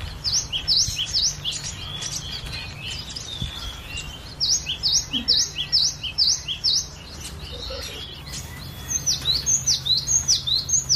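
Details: Cinereous tit song kept as a master recording for training other birds to sing: rapid high whistled and chirping phrases repeated in bursts, with brief pauses between runs and a low background hum throughout.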